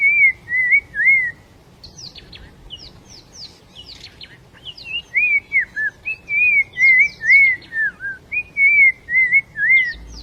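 Black-crowned Tchagra: mellow, wavering whistles that slur downward in short phrases, about two a second, with sharper higher chirps from other birds mixed in.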